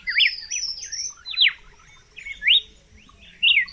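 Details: Red-cowled cardinal singing, unedited: rising-and-falling whistled notes, a loud descending slur, then short bright phrases after brief pauses, with faint high twittering behind.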